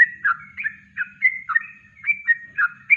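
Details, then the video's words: Kongslet song of a yellow-vented bulbul, natural and unenhanced, used as a master recording to train birds; rapid, rolling, babbling whistles, about three per second, clear and close, with a light hum below. "Masteran Trucuk Kongslet Alami"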